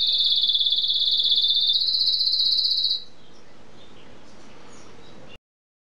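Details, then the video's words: Canary trilling rapidly for about three seconds, stepping up in pitch halfway, then falling silent, leaving only faint background hiss before the recording cuts off. "Κελαηδημα Καναρινιων-singing canary"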